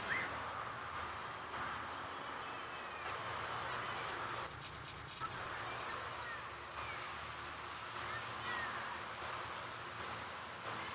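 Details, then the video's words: Jilguero singing on a CD, Carasucia: a brief opening phrase, spaced high chips, then a dense burst of rapid trilling and buzzing for about three seconds, followed by scattered single notes. "Jilgueros una pasion CD del Carasucia"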